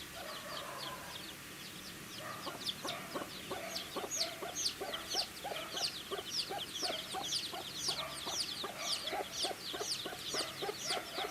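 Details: Baby chickens eating food, a flock of chicks giving dense, high, rapid chirps that overlap continuously, with short lower clicking taps, likely pecking at feed, scattered throughout.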